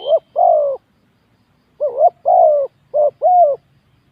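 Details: Spotted dove used as a decoy in a ground-arena luring match that ended fast, after 7 minutes 31. Low, mellow coos come in paired phrases: a wavering rising note, then a longer falling coo, separated by short silences.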